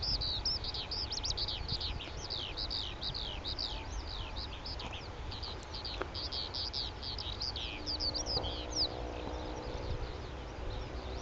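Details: A male Oriental skylark (Alauda gulgula) sings from a perch in Petchaburi, Thailand, pouring out a long, fast stream of high chirps and slurred twittering notes over a steady low wind rumble and faint hum.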